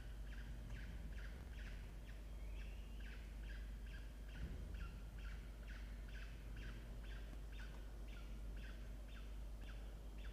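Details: Peregrine falcon family at a nest box in a water tower, Orange, New South Wales, Australia, adult bringing small prey breakfast to the chicks in October 2024; long run of regular short harsh chips over constant low hum.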